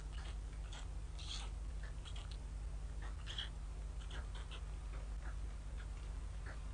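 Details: Hungry White stork chicks in Ustroń, 15–16 May 2019, begging while their mother has been absent since 6 am and the father tends them in very bad weather; many short, thin, falling squeaky calls in quick bursts over a steady low rumble.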